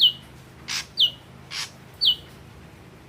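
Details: Red-eyed Ashy drongo singing short, sharp whistled notes that slide downward, about one per second, alternating with brief harsh noisy bursts, over a faint low hum.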